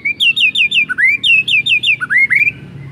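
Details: White-rumped shama singing a rapid series of clear, slurred whistles, each note bending downward and repeated about four times a second, then a few rising swoops. Used as a bait song to make other shamas sing.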